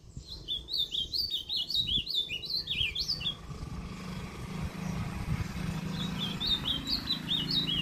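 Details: Ultramarine grosbeak (azulão) with northeastern song style, Limoeiro do Norte, Brazil, recorded 20 September 2023; rapid series of sweet whistled notes rising and falling in quick zigzags, a pause, then a second softer phrase over low background hum.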